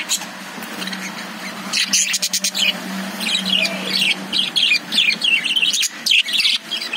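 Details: Caged lovebirds chirping: bursts of sharp, high chirps and short trills come in quick irregular runs, with quieter gaps between them and a faint steady hum underneath.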